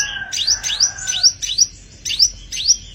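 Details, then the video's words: Totally tame caged sogon (sepah raja) in full song, giving a series of short, high, rising whistled sweeps repeated roughly three times a second, with a faint lower held tone at the start. "burung sogon gacor istimewa"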